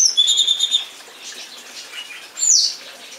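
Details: Song thrush song beginning with a fast series of repeated high piping notes, then a pause and a single sharp descending note.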